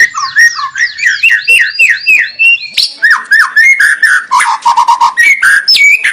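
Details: White-rumped shama song, loud rich whistles: repeated looping downslurred notes, then lower fluting phrases and a fast stuttering series of short notes.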